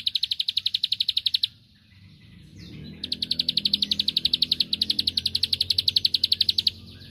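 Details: Bar-winged prinia song used to provoke a rival into answering: a rapid, high, even trill of sharp repeated notes in a burst of about a second and a half, a short pause, then a longer burst of over three seconds, over a low background rumble.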